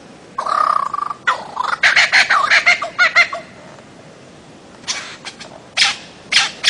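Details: Bird-of-paradise giving harsh, buzzy, rasping calls: a long nasal note, then a rapid stuttering series of rough pulses, and after a pause several separate loud harsh bursts.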